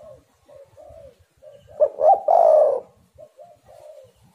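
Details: A spotted dove, played to lure other doves into calling, gives one emphatic coo phrase, two short stuttered notes and a long throaty purr, framed by soft, quiet mid-pitched coos before and after.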